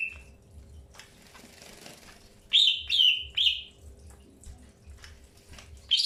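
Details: Greater green leafbird at the first stage of pairing, giving three loud, clear downslurred chirps in quick succession after a quiet pause, with one more bright note at the end.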